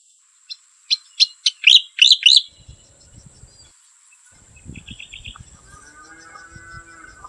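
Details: Striated grassbird giving a quick run of sharp high chirps that become louder, looping notes over about two seconds. Fainter high twittering follows, with low rumbling and thudding sounds underneath.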